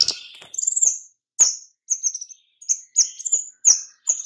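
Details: White-rumped shama calls for luring other birds: a scratchy twittering opening, then a steady string of sharp, high whistled chirps about every quarter to half second.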